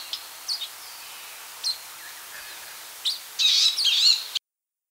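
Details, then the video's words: High, thin chirps from a Palestine sunbird (Cinnyris osea), spaced apart at first, then a dense, fast twittering burst lasting about a second before the sound cuts off abruptly. "Palestine Sunbird | Beautiful Chirps & Songs"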